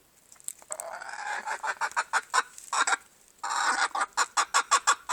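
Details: Silver Appenzeller chicken calling: a short drawn-out note, then a rapid series of sharp clucks, a longer squawk after a pause, and another quick burst of clucks.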